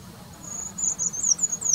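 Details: Eurasian treecreeper singing in February 2019: very high, thin notes that begin as a faint steady whistle, then build into a few quick descending slurs. A soft low hum lies underneath.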